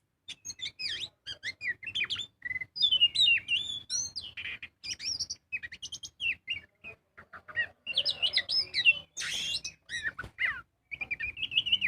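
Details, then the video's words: Magpie-robin singing continuously as a lure to make birds sing, a long, varied medley of whistles, slurred notes, chatters and a harsh rasp, with constant changes in phrase. "Pancingan burung kacer gacor full ngobra"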